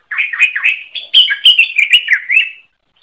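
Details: Greater green leafbird singing energetically (gacor) for a songbird training recording: an unbroken two-and-a-half-second warbling phrase of bright whistles and chattering notes, louder in the middle, that ends abruptly in silence.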